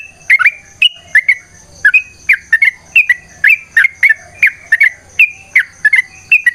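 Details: Sooty-headed bulbul song used as a training lure, in a loud, long rolling style: short bubbly whistled notes around a repeated fluting phrase, delivered in quick bursts roughly every half second, over faint background hiss.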